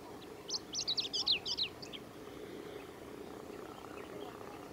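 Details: A male chestnut-eared bunting singing at Yashigahara marsh on 15 July 2018: one quick phrase of about a second, a jumble of high, sharp chips and twittering notes, then faint distant birds and a low hum.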